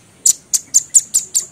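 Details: Velvet-fronted nuthatch, kept as a companion bird to stimulate captive larks to sing because its call resembles the opening of the lark's song: six sharp, very high chipping notes in quick succession, about five per second, with no other sounds.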